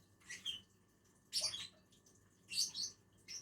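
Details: Lovebirds, a pair feeding on a tree, give a few loud, rasping high squeaks separated by short pauses, against a low hum.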